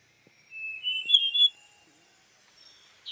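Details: A single long, slightly rising whistle from a female Large Niltava on Doi Inthanon in Chiang Mai province, Thailand. The note brightens near its end and is followed by near silence with a few faint clicks.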